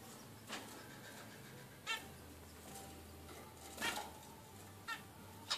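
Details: A 16-day-old zebra finch gives short, harsh, buzzy calls, spaced irregularly a second or two apart.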